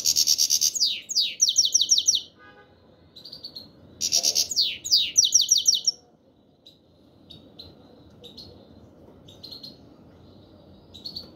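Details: Black-headed goldfinch calling 'chir chir': two fast bursts of sharp, high descending chirps a few seconds apart, followed by softer, scattered thin notes over a low steady hum.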